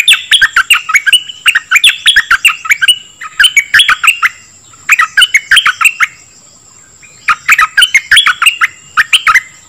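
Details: Dok Taeng bird song used to coach young birds and fire them up: repeated rushing phrases of sharp sweeping chirps, with pauses between bursts.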